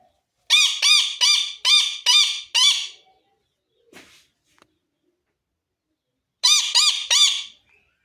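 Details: Pet parrot indoors giving harsh, rasping chirps: a rapid run of six grating notes, a pause with faint clicks, then another burst of four similar notes.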